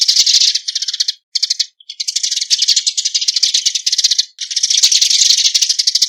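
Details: Eurasian tree sparrows (Passer montanus) giving flock-gathering calls: a fast, dry, high chatter of chirps in long bursts, broken by a few brief pauses; nothing else is heard.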